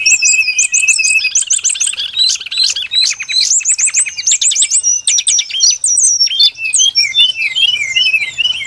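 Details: Brown-chested jungle flycatcher lure song: a steady whistled tone under quick chips, then buzzy rapid trills, rising notes, and finally a scattered series of short twittering calls.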